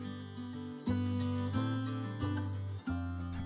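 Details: Strummed acoustic guitar chords ring out in a steady pattern, with no animal voice heard.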